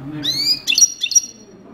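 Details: A European goldfinch, called a coupleur, gives a brief bright phrase: rising thin whistles followed by a few sharp twittering notes, with faint low rumble behind.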